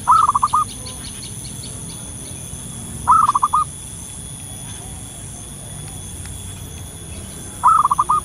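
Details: Wild local zebra dove lure call. Three short purring coos repeat about every three and a half seconds, each a swelling note and a couple of quick beats. Faint ticking chirps in the background.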